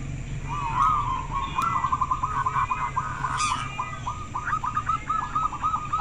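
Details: Local zebra dove singing very clearly, a voice said to start others answering: a long quick series of short ringing coos, building and continuing steadily, with a brief rustle midway.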